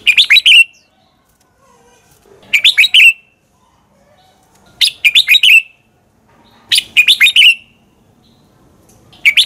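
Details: Red-whiskered bulbul in combative morning song meant to spur other bulbuls to sing: four bursts of rapid, ringing whistled notes, each phrase ending in a downward slur, spaced about two seconds apart.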